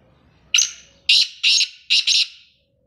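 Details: A calling male black francolin gives a rasping phrase of five strident notes: three separate harsh bursts followed by a tight double note, loud and close, then silence.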